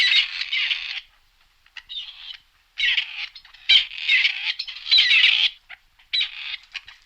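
Grey partridge giving harsh, grating, creaky rasps in uneven bursts, each under a second, repeated several times with short pauses.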